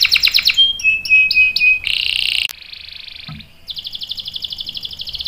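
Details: Canary song from a long-roll lure for training young canaries: quick chirps and thin whistles, a loud buzzy burst, a softer fading trill, then a rhythmic pulsed roll.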